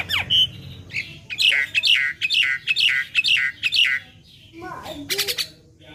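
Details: Black-winged myna, a young bird on a training recording: six or seven similar chirping notes with harsh overtones repeated about twice a second, followed by softer sliding notes and a brief noisy rasp.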